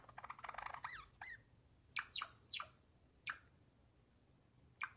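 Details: Java sparrow, a wingko-type gelatik: sharp, clear chirps and down-slurred notes after a rapid clicking run, spaced unevenly with pauses, over a quiet low hum.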